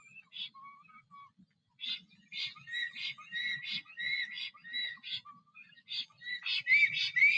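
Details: Male black stork singing at its nest in Noteć Forest, Poland, on 17 April 2023, after returning while another stork is present. Arched, whistled notes come about twice a second in uneven bursts, with short pauses and softer wheezy notes between.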